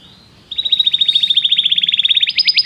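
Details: Belgian canary singing: a fast, even trill of bright repeated notes, slightly rising, then switching to a higher, louder trill near the end.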